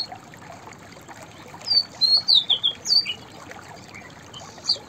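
A White-browed Fantail sings a quick phrase of about six thin, high whistled notes that rise and dip, then adds one more note, over a steady background hiss.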